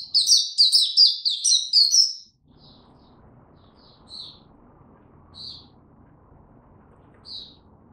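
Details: Mata puteh (Oriental white-eye) in tiong aw song, 25 January 2022, after sleeping late: two seconds of loud, fast, high twittering, then silence broken by a few isolated soft chirps over low background hum.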